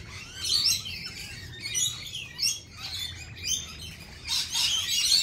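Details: Lorikeets gathered at a feeding site give shrill chirps and rasping squawks, several birds calling over one another in rapid bursts, loudest toward the end, over a faint low rumble.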